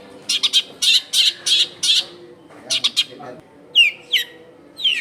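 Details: Long-tailed shrike song used as a lure for wild shrikes, recorded at a home in a crowded neighbourhood: harsh grating notes in clipped groups, then sharp rising and falling squeaky whistles, with faint background noise.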